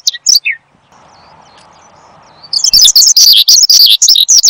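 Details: After a couple of high chirps and a stretch of low humming background noise, a caged Horsfield's bushlark launches into fast, bright, high-pitched chattering song, recorded as lure and master sound for cage birds.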